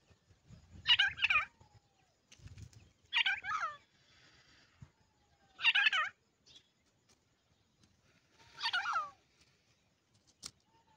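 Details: Grey francolin chicks give four harsh, rattling, buzzy bursts spaced roughly two to three seconds apart, with faint low rumbling noise between them.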